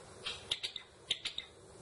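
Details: Java sparrow, a rice-eating bird native to Java, giving short high chipping notes in two quick clusters, each of three or four bright clicks, over low background hiss.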